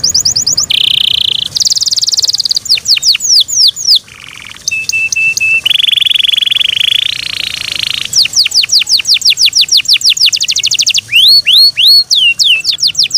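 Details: Loud song from a kept Yorkshire canary, alternating long steady whistled tones with rapid tours of sharply dropping chirps and quick trills, the pattern changing every few seconds.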